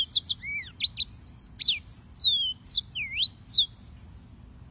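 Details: Several singing yellow-fronted canaries give a lively run of sharp chirps and downward and upward slurred whistles, notes tumbling one after another without break over a faint low hum.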